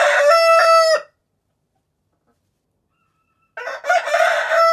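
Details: A rooster crows loudly, a rich harmonic cock-a-doodle-doo about one second long, followed by silence and the start of a second crow.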